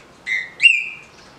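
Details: Green-winged saltator kept legally in captivity, giving its 'de roda' easy song: one steady whistle, a brief gap, then a stronger whistle that rises, holds level and trails off.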